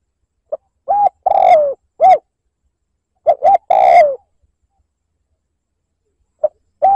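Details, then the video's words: Spotted dove liêu lỡ lure call meant to provoke wild birds: two phrases of a faint pip, a short coo and a drawn-out descending coo, then a further coo, separated by a silent pause. "Tiếng mồi cu gáy liêu lỡ gáy gù kích bổi"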